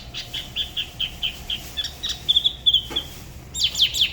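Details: Spot-throated babbler solo from Da Lat, La Ba river: soft repeated whistled notes growing louder, ending with sharper bright downslurs.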